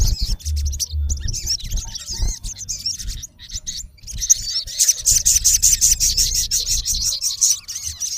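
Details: Male olive-backed sunbird calling against a rival: wavering high whistles and chips, then a steady fast series of sharp ticks about three per second, with low rumbling beneath.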